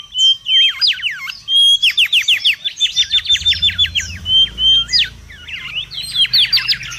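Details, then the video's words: Wild mangrove whistler singing noisily, kept for luring and tutoring: bursts of fast, repeated slurred whistles in tight rhythmic strings, pausing briefly, then more rapid flourishes; faint low rumble in the background. "SUARA PIKAT DAN MASTERAN BURUNG KANCILAN BAKAU RIBUT DI ALAM LIAR"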